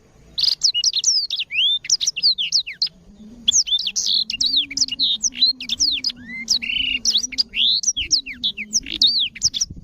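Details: Black-throated canary singing a bright, fast song of repeated high whistled sweeps and chirps in rapid bursts, with short pauses, used as a tutor recording for canaries; a faint low hum runs underneath.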